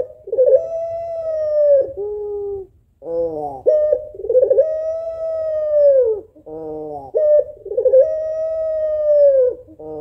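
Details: A female puter pelung, the African collared dove, calls for a male with mournful sounds. Three long sustained coos with trilled starts alternate with short hoarse, harmonic-rich bursts, in a steady repeating rhythm.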